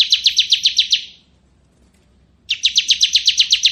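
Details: Bar-winged prinia, crystal type, giving rapid high rattling trills, the first ending after a second, then silence, then another even series of buzzy notes.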